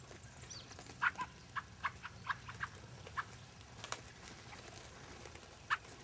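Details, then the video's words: Fieldfares at Lee Common on 9 February 2012, giving quiet, short harsh chattering calls in scattered bursts of one or two notes, faint against a low background hum. "Fieldfares, Lee Common,9th February 2012"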